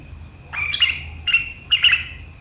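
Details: A sooty-headed bulbul gives sharp chattering 'gacor riwikan' song, said to make rival birds join in, recorded 7 April 2023. Three quick bursts of harsh, high chirps appear over a thin steady tone and a faint low hum.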